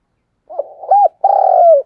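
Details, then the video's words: Morning lure call of a spotted dove for prompting a decoy bird: soft stuttering notes, a rounded arched note, then a long sustained low coo that slides downward at the end. "tiếng cu gáy gọi"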